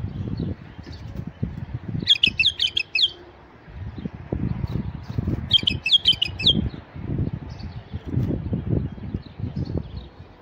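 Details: Song of a male white-eared bulbul used to draw in wild bulbuls: two quick phrases of sharp, tumbling whistles roughly four seconds apart, with steady low rumbling noise throughout.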